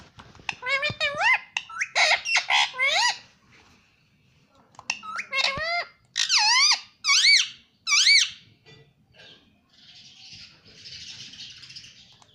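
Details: Pet rose-ringed parakeet talking indoors: bursts of rapid, wavering, speech-like syllables in two runs, repeated harmonic squawks, then a softer hissing noise near the end.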